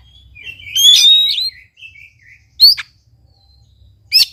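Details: Oriental magpie-robin song aimed at getting a silent bird singing: a loud wavering whistled phrase, soft warbles, then two short sharp upward-swept notes.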